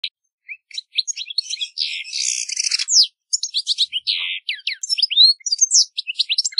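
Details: European goldfinch singing a fast twittering song of high tinkling notes, rapid slurred trills and a dense buzzy passage in the middle, with brief pauses between phrases.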